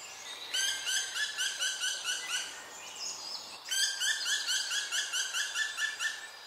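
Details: A young black woodpecker, already fledged-age but afraid to leave the nest hole after its siblings have gone and its mother stopped feeding it, begs for food with two long bouts of harsh, rapid, high chattering, about two beats per second, over faint hiss.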